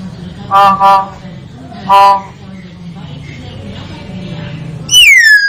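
Common hill myna giving three loud, nasal, voice-like calls, a pause, then a sharp whistle sliding downward. A steady low hum runs underneath.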